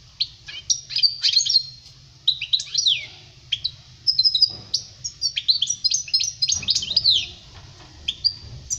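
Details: European goldfinch in continuous song for teaching young birds, 2020: dense, rapid tinkling twitters and chattering phrases that run almost without pause, high and bright throughout.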